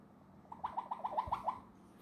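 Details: A 47-year-old Red-lored Amazon parrot sits indoors on a couch while preening. It gives a quick run of about eight short, soft, clucking notes, evenly spaced over roughly one second, over a low room hum.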